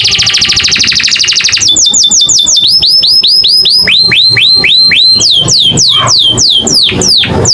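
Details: American singer canary singing a melodious varied song: opens with a rapid buzzy trill, then runs of repeated hooked whistles changing pitch and shape every second or two, against steady low background noise.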